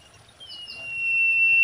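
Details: Common iora (sirtu, cipoh), described as a female in mating song and used as a lure call: one long, level whistled note that steadily swells in loudness, cut off before any ending.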